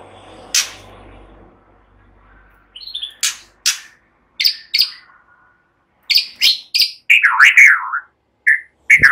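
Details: White-rumped shama giving relaxed song with cililin and ciblek mimicry, meant as a lure for songbirds; sharp dry chips spaced irregularly after a soft low hum, building to a brief warbling phrase and more clicks.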